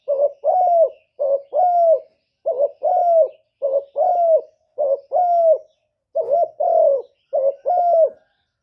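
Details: Spotted dove giving a steady run of doubled coos, each short rising note followed by a longer falling one, about seven pairs with brief gaps between, clean and close.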